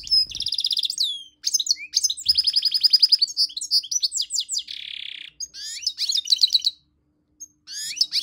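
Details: A tame goldfinch mule gives a long, busy, high-pitched song. Fast rattling trills and twittering notes mix with a harsh buzzy stretch. Short pauses break the phrases, with the song resuming at the end.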